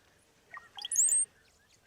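A Brown-headed Cowbird gives a few low, liquid gurgles, then a thin, very high, squeaky whistle that slides briefly. The song is strange and unbirdlike, over quiet outdoor background.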